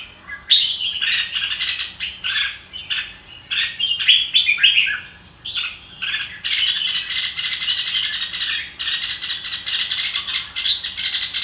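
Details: Red-whiskered bulbul song: bursts of bright, chattering warbled notes, with a denser, continuous run of buzzy chatter in the second half.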